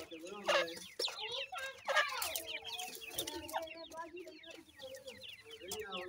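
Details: Iranian partridge parent feeding its brown chicks; busy flurry of short high descending peeps, with a few louder bursts early on and low clucks running beneath.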